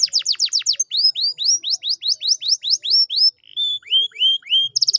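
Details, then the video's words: Lure recording of canary song meant to stir a silent canary back into full song: quick falling whistles, then a long series of rising, slurred whistled notes about four per second, ending in lower upturned notes and a brief buzzy burst. "pancingan kenari malas bunyi/agar gacor lagi"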